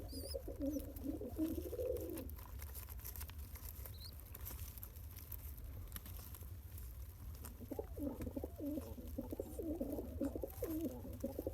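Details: A father pigeon pumps food into his one-day-old chick; two spells of busy, warbling squeaky notes, one at the start and a longer run near the end, separated by a quiet stretch with low hum.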